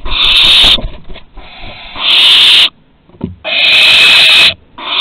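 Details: Barn owls at Théding on 2 September 2020, at the first flight from the nest and the return; long rasping hissed screeches of about a second each, three in a row with short pauses and faint scuffling between.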